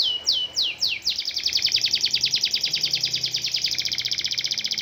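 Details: Canary, kept as a tutor bird for training competition songbirds and said to sound more like a cililin, woodpecker or tengkek buto than usual canaries, singing three high descending swept notes, then a long, rapid, even trill of bright chips.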